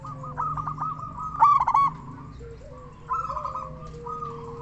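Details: Strong-voiced local zebra dove whose song serves as a lure and to raise other zebra doves' mating drive: trilled rolling coos with loud bursts, while a thin steady whistled tone runs beneath and a low hum persists.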